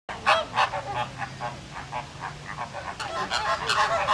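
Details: A flock of resting flamingos at a pond, woken when a nearby Canada goose honks, erupts in nasal, goose-like honks, about three a second, rising into an agitated chorus during a squabble with feigned pecking.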